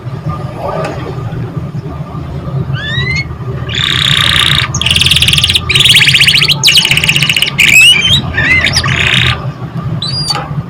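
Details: Canary singing, used to prompt young canaries and lazy or stressed birds to sing: scattered rising whistled slurs, then dense buzzy trill phrases in the middle, with a constant low hum behind.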